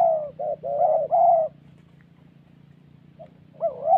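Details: Spotted dove in a thổ-style bout during decoy trapping in Vietnam's Central Highlands; three quick throaty coos in the first one and a half seconds, a silence, then a bent, rising note at the end.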